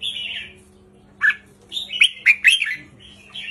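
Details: Red-whiskered bulbul giving a brief counted-phrase song of the 3-4-5 style to excite birds; a drawn whistle, a pause, then a quick cluster of four or five sharp, warbled notes over a quiet hum.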